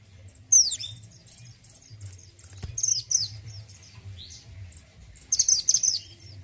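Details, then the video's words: Orange-headed thrush singing actively: a sharp high downward-swept note, then clusters of thin, buzzy, trilled high phrases separated by short pauses, over a steady low hum. "MANTENAN GUNUNG ORANGE GACOR SUARA BERKARAKTER"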